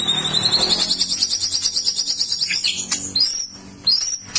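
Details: White-rumped shama (murai batu) in loud, shrill song: a long, fast, very high rattling trill, then a few separate sharp notes and upswept whistles with short pauses.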